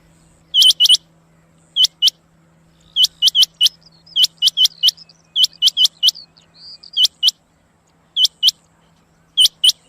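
A female rain quail gives sharp, high, clipped notes in quick pairs and triplets, repeated every second or two, over a faint steady low hum.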